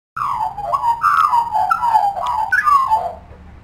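An Australian magpie sings rich, flute-like warbled notes that slur downward, about five phrases in under four seconds, over a faint low hum.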